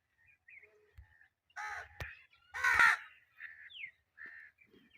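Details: Indian ringneck parakeet, a pet bird, giving two loud grating screeches among softer chattering notes and a quick upward whistled chirp, with light knocking sounds in the background.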